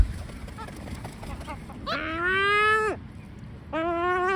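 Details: Complaining great black-backed gull giving two long, hoarse, nasal calls with a slight upward slide, the second cut short, over a low rumbling background.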